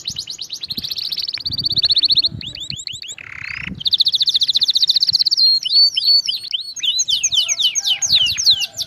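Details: Canary song without a break for training other canaries: fast high trills, a short buzzy burst, a long even rolling trill, then looping whistled slurs repeated rapidly.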